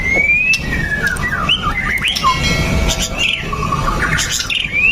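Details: A white-rumped shama sings continuously to prompt other shamas: rich whistled phrases with rising and falling slurs, a few sharp downward notes and a closing upslur, over a low background hum.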